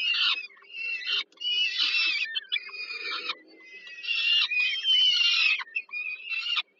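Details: Peregrine falcon nestlings begging as the mother brings supper, Żerań thermal power plant in Warsaw, Poland, 15 July 2022: rasping, strained squeals run together in long ragged phrases, a soft low drone beneath.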